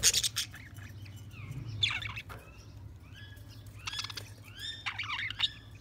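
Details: Budgies chirping more softly and sparsely: scattered high twittering notes and short buzzy squawks, with a few rising whistled slurs over a constant low hum.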